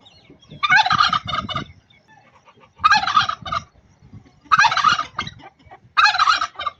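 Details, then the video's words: An angry pet turkey in Buner, Khyber Pakhtunkhwa, gives four loud, rapid gobbling bursts, each about a second long, with short pauses between them. "Angry Turkey bird 🦃🦃 angry turkey sounds!"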